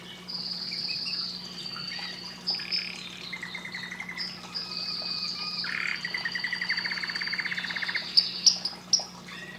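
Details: Softer canary singing amid background noise: drawn-out high trills, a buzzy rattling passage and a few sharp chips at the end, with a low hum throughout.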